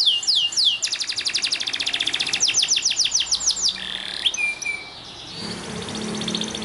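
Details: Song of a Belgian canary, meant to stimulate canaries to sing: rapid rolling trills and repeated falling notes, a few buzzy tones, then a stretch of low background hiss and hum.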